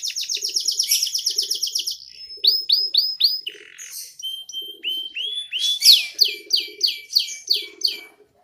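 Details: Young canary singing continuously, its song filled with ciblek mimicry: a rapid high trill, then short downslurred phrases and steady whistles, ending in a loud string of sweeping downward notes, with soft low buzzes between.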